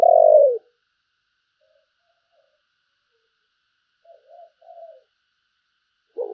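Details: Fine-looking decoy spotted dove cooing: one loud, low, downslurred coo, a long quiet gap with soft murmuring notes, then another loud coo beginning at the end.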